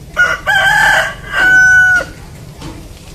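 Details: Rooster crowing: two loud, harmonic cock-a-doodle-doo phrases, a rough stuttering opening followed by a long, steady, drawn-out note that cuts off sharply, then quiet background.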